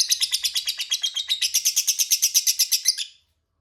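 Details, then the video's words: Lovebird ngekek used as a lure so rivals reply: a rapid, harsh chatter of piercing high notes, about three per second, rising in brightness midway and stopping abruptly after three seconds, followed by quiet. "Pancingan Lovebird Paling DiSUKAI Lawan AUTO Nyaut Ngekek Bersahutan, Burung Lovebird Ngekek Panjang"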